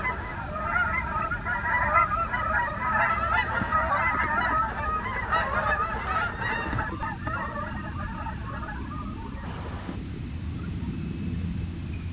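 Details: Flock of wild Canada geese passing in flight one morning in the USA, loud overlapping honks for about eight seconds that then thin out and fade, leaving mostly low background noise.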